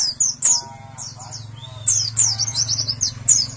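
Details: Contest-ready white-eyes; loud high chirps and fast descending twitters, a short gliding whistle near the middle, over a steady low hum.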